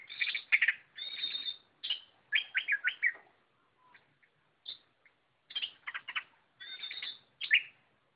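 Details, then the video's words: Loud, busy gacor song of an Oriental magpie-robin: dense scratchy chatters and high whistled trills, a brief quieter stretch with faint notes, then strong chattering phrases resuming. "Burung kacer Lot Full Gacor"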